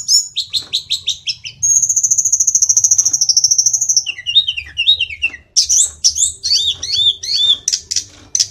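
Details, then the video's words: A Hill Blue Flycatcher sings a fast, varied run of high whistles: quick repeated notes, a long warbled trill, then sweet falling and rising phrases, with a faint low hum behind. "Sulingan gunung / Tledekan gacor"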